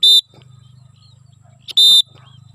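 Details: Cockatiel during its first free flight, giving two short, loud, harsh screeches about one and a half seconds apart, with a low droning hum between them.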